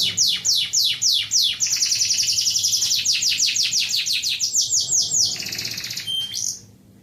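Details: Canary in unbroken ngacor song: fast descending sweeps lead into a long, dense, buzzy trill that rolls on for several seconds. It ends with a few sharp notes before falling quiet.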